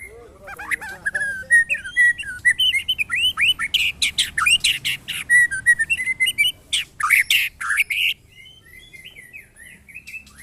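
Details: Caged white-rumped shama during a mental test with neighbours' birds: long varied song of whistled slurs and fast harsh rattling bursts, loud and continuous for eight seconds, then softer twittering over a low hum.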